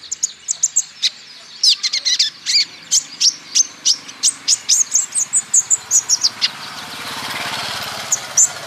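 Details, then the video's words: Olive-backed sunbird, male, Natuna green type, used to get other birds singing: fast, steady series of piercing high chips, several per second, thinning out near the end as a hissy rush of noise rises. "PANCINGAN KOLIBRI NINJA BAHAN"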